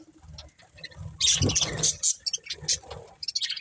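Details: Short burst from a budgerigar breeding pair: a quiet start, then sharp squeaky chirps and rapid high twitters, with some lower muffled sounds mixed in.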